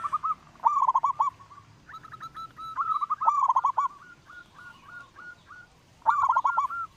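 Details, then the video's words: A big-voiced local zebra dove sings as a lure: repeated bubbling, stuttering coo phrases overlap with lighter tonal notes from another bird, the chorus nearly continuous throughout. "perkutut lokal suara besar"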